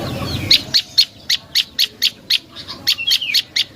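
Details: Prenjak lumut prinia, a lure call for birds, gives a fast string of about fourteen bright, high chipping notes, evenly spaced several per second, with a brief low rumble at the start.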